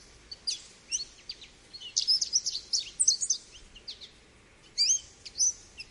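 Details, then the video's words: High, sweet twittering from an American goldfinch: scattered chirps build into a dense, bubbly burst, then a few looping whistled notes over steady low hiss. "American Goldfinch Call | American Goldfinch Singing | Goldfinch Sounds"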